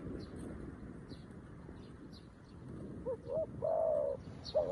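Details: New decoy spotted dove calling wild doves, heard only in the last second and a half: a short rising double note, then a long husky coo, under steady rustling background noise and faint high twitters.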